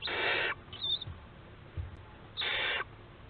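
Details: Barn owls at a webcam-watched family nest in Théding, 4 July 2022: two harsh, broadband hissing screeches, each about half a second long, separated by a two-second pause with faint rustling in the box.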